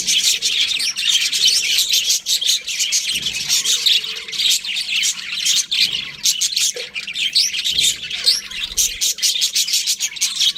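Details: Budgerigars in a group giving rapid high chattering chirps mixed with harsher squawky notes, a busy unbroken flock chatter with brief lower murmurs now and then.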